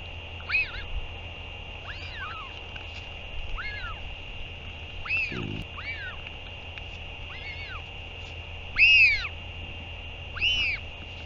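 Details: Northern royal albatross at the nest on 8 June 2023 as a parent returns to feed its chick: a series of arched, harmonic, nasal calls rising and falling, spaced every one to two seconds, over a steady background hum.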